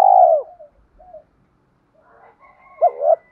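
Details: Spotted dove coo meant to rouse newly caught wild doves and train decoy birds: a loud arched coo fading into soft trailing notes, a quiet murmur, then a sharp hooked double note.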